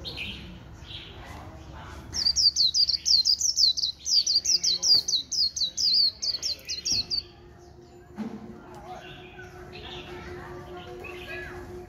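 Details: Caged white-eye, a neighbour's bird, in líu song. A burst of very high, thin, quickly repeated notes runs for about five seconds, then gives way to background chatter and low noise.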